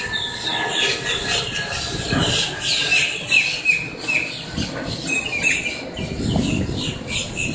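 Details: Flock of blackbirds squawking up close in Miami, Florida, a noisy racket of rasping, overlapping calls and squeaky notes, with a few low thumps and rumbles underneath.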